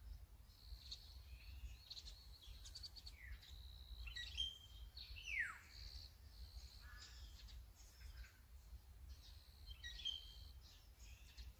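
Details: Azure-winged magpie recorded on a Sony A9 camera: a run of short, thin high notes and buzzy chatter, with one loud slurred call sweeping steeply downward near the middle, over a steady low rumble of background noise.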